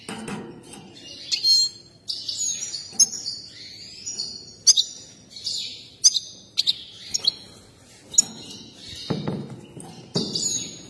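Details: Worked-up European goldfinch singing with its dance, as breeders like: a chattering stream of short liquid twitters and tinkling notes, some buzzy, with occasional clicks and thumps between phrases.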